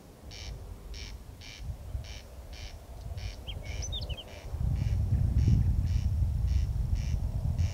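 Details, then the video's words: Corn crake calling at night in Kiili parish on 14 June 2021 at 01:35; harsh rasping double notes repeat steadily about twice per second, a few brief high whistled notes from another bird midway, strong low rumbling noise throughout. "Rukkirääk Kiili vallas rääkumas"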